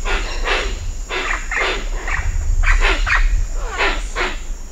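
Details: Hoatzins at Cocha Cashu, Manu, give harsh, wheezy hissing calls in rapid irregular bursts, with wing flaps, a steady high cicada whine and other birds behind.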